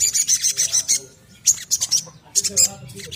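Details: Little spiderhunter singing, played as a lure so other birds sing quickly and often. A fast, high chittering run comes first, followed by short sharp bursts of high notes with pauses between them.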